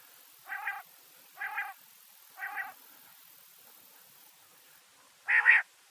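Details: Calling quail: three even nasal notes repeated about once a second, a short gap, then one louder, higher, clipped double note.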